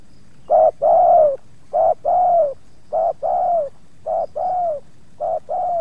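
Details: Spotted dove at Subang during luring of wild doves, two birds approaching and one resisting; loud, clear coos in quick pairs, a short note then a longer falling one, repeated five times at an even pace.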